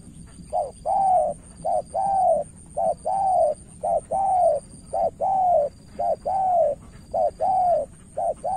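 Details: Spotted dove, a decoy bird from Cà Mau, Vietnam, up against an experienced rival: mellow cooing phrases, each a short note then a longer one, repeated steadily about once a second, with a faint steady high whine throughout.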